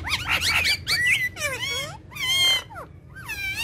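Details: Pet parrots frolicking on a charpai make raspy, broadband squawks alternating with curved, harmonic whistles in several loud bursts separated by short pauses, with faint low hum beneath.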